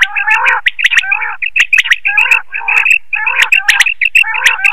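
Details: Lure call of quail for nighttime net hunting; short chattering bursts of high chirps over lower buzzy tones, coming in tight clusters separated by brief gaps, with sharp clicking sounds between phrases.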